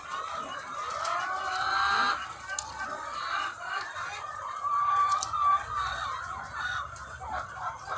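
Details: Egg-laying hens in their thousands on a farm. Overlapping clucks and squawks build to a loud peak, then a clear, wavering tonal call rings out partway through over the ongoing flock noise.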